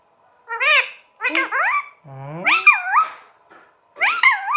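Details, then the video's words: Green pet parrot speaking in a series of wavering, voice-like syllables that rise and fall in pitch, in four separate phrases with short pauses, indoors. "Parrot Sound Talking Parrot Bolne wala totha"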